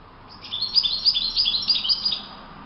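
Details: Wild European goldfinch in open nature delivering a short, fast run of bright, liquid twittering notes, rising and falling in quick succession for about two seconds against a quiet background.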